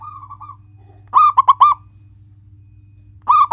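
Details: Local zebra dove, a frequent singer used to prompt pet doves into song: a short soft trill, then three clipped, mellow coo notes, a pause, and one final note. A faint steady hum sits in the background.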